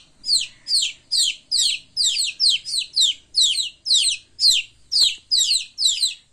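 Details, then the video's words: Young chickens playing make piercing high chirps that drop in pitch, repeated about twice each second, some in close doubles, in quiet surroundings. "Baby chicken sounds || chicks chirping sounds (cute playing)"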